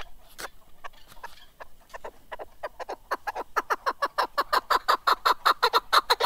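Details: Chukar partridge, a mountain partridge or keklik, singing: sparse clucks that speed up into a loud, steady run of rapid chuk notes, about three a second, growing stronger toward the end.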